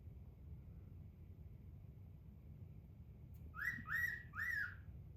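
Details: A male pet cockatiel, recorded 8/21, gives his wolf whistle on request: three clear, swooping whistled notes after a quiet pause.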